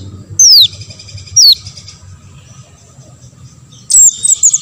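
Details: Olive-backed sunbird, kept to stir other sunbirds into singing, giving two loud high notes sweeping steeply downward, a long pause, then a burst of sharp twittering.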